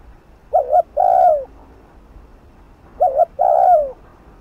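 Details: Spotted dove, a decoy bird cooing in the fast 'thúc gù' style to provoke a rival into calling. Two phrases, each a short double note followed by a long, mellow, falling coo, about two and a half seconds apart, over a quiet background.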